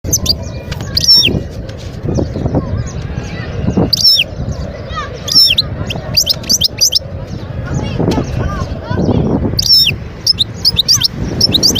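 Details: Wild European goldfinch singing at Guerbaz, Skikda, Algeria, in 2022: scattered bursts of high, tinkling twitters and quick rising notes separated by gaps, over a steady low rumble in the background.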